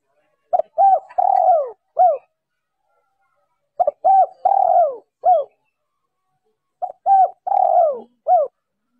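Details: Female spotted dove calling to stimulate males, a noise-reduced recording used to draw males; three phrases of four mellow coos, two short, one long and falling, then a clipped final note, repeated about every three seconds in silence.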